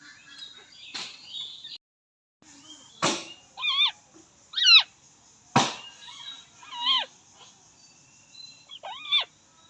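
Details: Alexandrine parakeet giving a run of loud harmonic squawks that waver up and down in pitch, in short bursts roughly every second, with sharp knocking clicks and brief gaps in between.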